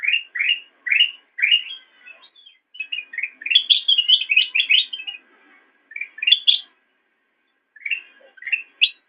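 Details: Master recording of black-crested bulbul song for training cage birds: repeated upslurred whistles, then a lively jumble of higher chattering notes, a pause, and more rising phrases, with nothing else audible.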